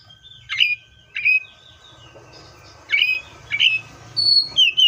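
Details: Seychelles magpie-robin giving short, sharp whistled notes with squawky edges, spaced irregularly about a second apart, with a low rumbling hum and a thin steady tone behind.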